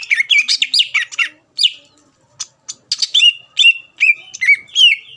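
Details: A greater green leafbird sings a provoking lure phrase to draw out rival birds: a burst of rapid overlapping slurred whistles, a pause with isolated clicks, then a string of clear downward-sweeping whistles about three per second.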